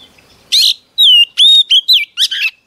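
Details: Female Oriental magpie-robin singing to rouse a male: a short harsh buzzy burst, then clear whistled notes sliding downward, a rising sweep and quick whistles, ending in a rough chattering phrase.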